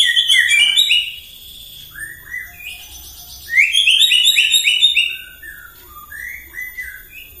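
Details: A White-rumped shama sings in the morning to provoke other birds, with fast twittering runs and chattering trills in loud bursts separated by quieter gaps.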